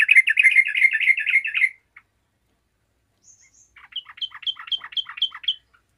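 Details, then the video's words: Vigorous yellow-vented bulbul song answered by other bulbuls: a loud, dense, chattering burst, a pause, then a softer series of repeated short notes. "TRUCUKAN GACOR AMPUH LANGSUNG DIRESPON TRUCUKAN LAIN"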